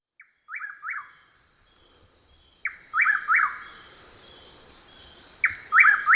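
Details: Chuck-will's-widow in Texas, nocturnal and calling in darkness, repeats its whistled chuck-will's-WID-ow phrase about every two and a half seconds: a soft opening note, then loud rolling whistles, over a faint insect hum.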